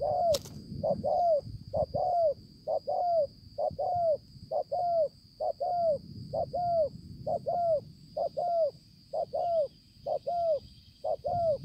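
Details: Spotted dove, dated 5/9/2020, uttering a fast regular series of paired short arched notes, each pair falling slightly in pitch, about one pair per second, with a click at the start and a steady high hum behind.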